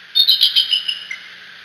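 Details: One brief burst of bald eagle chatter from the parents on the Decorah nest, heard through a nest camera: four quick shrill chips slide down into a fading squeaky trill, then quiet.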